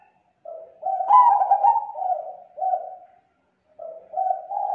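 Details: Lure call of a zebra dove, used to attract others of its kind: a soft, continuous run of low, rolling coos rising and falling in pitch, pausing briefly before resuming.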